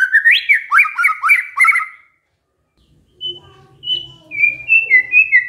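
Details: White-rumped shama imitating canary song: a quick burst of rising and falling whistles, a pause, then softer scattered notes with faint background sounds leading into clear, repeated high whistles.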